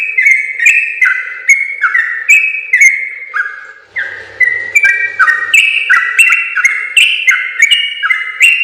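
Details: Sooty-headed bulbul in full, long rolling 'gacor ropel panjang' song, used as a training recording for other bulbuls: a chain of liquid whistled two-part notes, dipping and rising, with a brief softer pause midway, faint clicks above.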